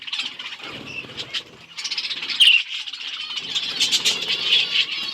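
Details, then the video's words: Budgies at their seeds, October 30, 2023, keeping up a continuous buzzy twitter with scattered sharp chirps over soft background rumble. "Budgies eating seeds | Budgies chirping sound"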